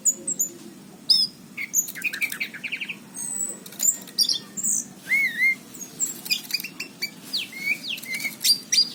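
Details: Anis cendana, an orange-headed thrush, in full song in a 2019 recording: rich varied phrases of slurred whistles, quick rising and falling notes and rapid chip series, with sharp clicks and light rustles between phrases.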